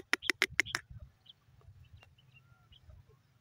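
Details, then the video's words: Francolin, known locally as irani teetar, in the evening: a quick run of five loud, harsh notes, followed by faint scattered chirps over a low background hum. "irani teetar voice evning"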